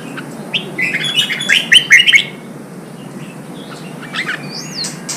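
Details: Red-whiskered bulbul song meant to excite and train birds for singing competitions. A rapid run of chirpy, slurred whistles, then softer scattered notes and a single upward-swooping whistle near the end.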